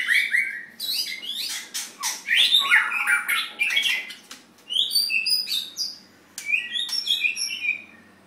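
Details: Contest white-rumped shama singing loudly: rich slurred whistles and sharp clicking bursts, then higher clear piping notes in quick rising sequences, with brief pauses between phrases.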